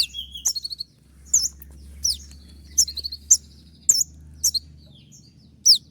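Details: Konin, a songbird kept for song training while moulting, delivering sharp high whistled notes and short downslurred squeaks in bursts about every half second, with a low steady hum underneath.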